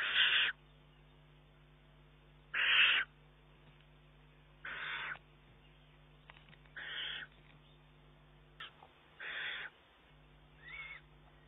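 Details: Eurasian eagle-owl chick pressing its mother for food, June 2011. Harsh rasping screeches repeat roughly every two seconds, the first two loudest, later ones fainter and shorter.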